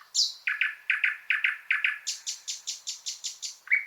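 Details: Powerful thrush nightingale song: a high note then a fast rattling run of repeated harsh chuck notes, shifting into higher rapid clicking series, ending on a lower whistle.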